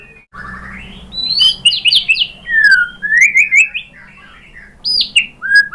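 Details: White-rumped shama (murai batu) performing a lure song rich in borrowed phrases to draw other shamas to reply. Loud, tumbling run of high whistled slurs and chirps, a pause, then further bright downslurred whistles.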